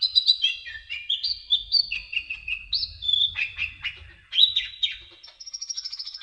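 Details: Sunbird in a lively, varied twittering song of high sliding chirps and trills, with an even, rapidly repeated note series at the end and a faint low hum underneath.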